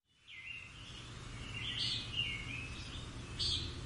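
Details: European robins singing in the morning among countryside ruins; high, thin warbling phrases that slide and flicker, with a louder bright burst near the end, over a steady low hum.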